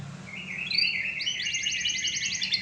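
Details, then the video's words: Canary singing gacor style, slightly softer: a rolling warbled trill that rises into an even, rapid series of high clipped notes. "Masteran asli kicauan burung kenari gacor full paling indah dan merdu"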